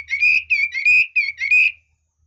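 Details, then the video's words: Red-whiskered bulbul giving a short excellent song burst: five clear, ringing whistled notes, each slurring slightly upward, in quick succession. "Chú mi cực hay, đảo giọng hót tốt hót rất đẳng cấp"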